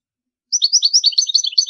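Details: European goldfinch song for teaching young birds: after a half-second pause, a rapid run of high twittering, tinkling notes, slurred up and down without a break, on a clean quiet background.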